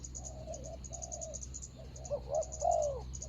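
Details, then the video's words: Spotted dove decoy luring a rival on the ground, 24 January 2022: soft, faint coos building into a louder final cooing phrase, with a pulsing high insect drone throughout. "ต่อนกเขาใหญ่.. ต่อดิน.."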